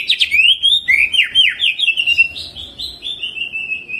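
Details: Greater green leafbird singing energetically with ciblek mimicry and rolling phrases, used to stir other leafbirds into song: a continuous, varied stream of swooping, slurred whistles and quick chirps, with a faint low rumble beneath.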